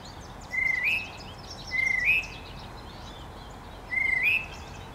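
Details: A wild tufted titmouse in spring, a battle-scarred bird with messy feathers, calls near a person who feeds it peanuts. It gives three clear whistled notes, each rising at the end, spaced about two seconds apart, over a steady faint outdoor hiss.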